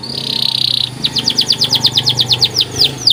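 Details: White canary's training (masteran) song: a long buzzy trill held steady, then a rapid series of about fifteen sharp downslurred notes, quick and even, with faint low background noise.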